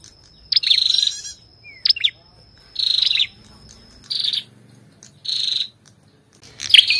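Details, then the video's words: An Ashy tailorbird and female calling: repeated buzzy trill bursts roughly every second and a half, with sharp chip notes between, against quiet background. "Tiếng chim Sâu đầu đỏ hót kèm tiếng Mái | Chích bông nâu ✅Ashy Tailorbird call"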